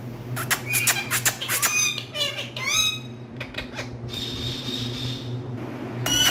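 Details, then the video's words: Green parrots, kept as pets, give harsh harmonic squawks and rising chattering notes in quick bursts, with clicks, a long steady whistle-like tone near the end and a low constant hum behind. "Cute Green Speaking Parrots"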